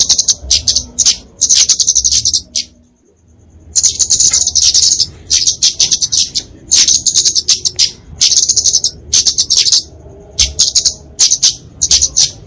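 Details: Fighting song of a flowerpecker, a tiny bird used as a tutor and lure for small songbirds: long strings of sharp, high ticking notes in quick bursts, with a silent gap near three seconds.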